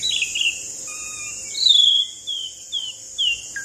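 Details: Asian pied starling's rolling song, used to set other birds singing: drawn-out clear whistles, some level and some falling, with short gaps between notes and a high steady hiss behind.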